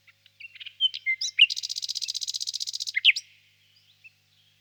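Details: Nightingale song phrase: scattered whistled and chirping notes lead into a rapid buzzing trill of repeated pulses lasting over a second, closed by a few sharp notes, then silence.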